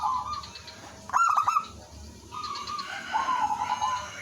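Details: Zebra dove, known locally as perkutut lokal, singing as a lure while other doves answer. A loud burst of rapid pulsed cooing is followed by softer mid-pitched trilled phrases, with faint higher chirps and a low steady hum.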